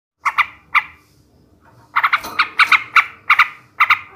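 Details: Male sooty-headed bulbul singing in the ngebrem ngekek garuda style, a recording meant to raise breeding drive in other bulbuls. Short bursts of paired, bright chattering notes with pauses between them, ending in a quicker run of doubled notes.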